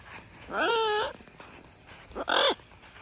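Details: Pet male military macaw (Ara militaris) outdoors after a shower gives two drawn-out, tonal calls that bend down at the end; the first lasts about half a second, and a shorter one follows over a second later.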